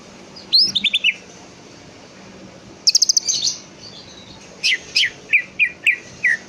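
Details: Greater green leafbird singing, meant to prompt another leafbird to respond: a quick descending series of clear notes, a burst of rapid chips with a warble, a pause, then five or six spaced falling whistles.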